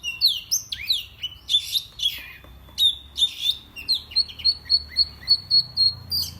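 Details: Kept oriental magpie-robin in Indonesia singing to provoke rival birds. Looping whistles and scratchy notes give way to a clear high whistled note repeated rapidly and evenly, about twice a second, in a steady series.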